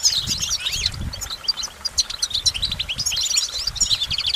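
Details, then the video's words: Fast goldfinch twittering, high tinkling notes and short slurred chirps tumbling together without pause, over a low background rumble. "Goldfinch Motivation Performance"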